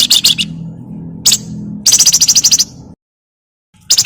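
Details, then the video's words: Harsh chattering of a Javan myna in 'crecetan' style, played to make other birds sing: scattered buzzy notes, a single sharp call, then a rapid regular rattle of about a dozen pulses, a gap, and a new burst. "BURUNG FLAMBOYAN GACOR CRECETAN BUAT PANCINGAN"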